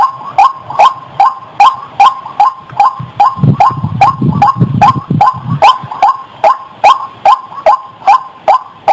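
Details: Calls of a white-breasted waterhen, played as a lure for trapping birds, come as clipped, even notes about two and a half per second, with a burst of low rumbling noise midway through the series.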